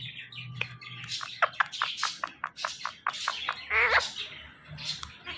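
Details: Talking male pet Indian ringneck parakeet gives rapid clipped chirps and ticks, then a drawn-out harmonic, voice-like phrase near the fourth second, with soft music humming underneath.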